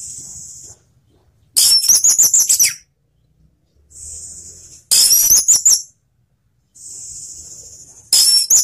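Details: Orange-headed thrush, kept as a song bird and played to stimulate other thrushes into singing. Three loud bursts of rapid, high, chattering and whistled notes, each about a second long, arrive every three seconds or so. A steady high hiss fills the gaps between them.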